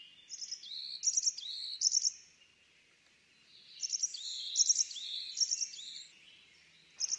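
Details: A tit singing: bright, high phrases of short stacked notes followed by lower sliding whistles, given in two bursts separated by a quiet pause, then a brief third start at the end.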